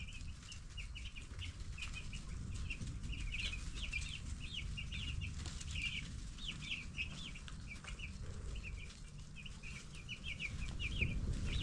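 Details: Ten-day-old broiler chicks chirp about four times a second, short downward-bending peeps from many birds at once, over a heavy low rumble and soft fluttering.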